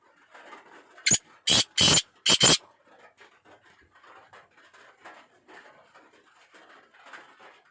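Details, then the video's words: Black francolin, locally called kala teetar, giving a loud, harsh call of four rasping notes in a quick burst, the last three evenly spaced, with faint scattered chattering sounds before and after. "Pure laka kala teetar ki awaz"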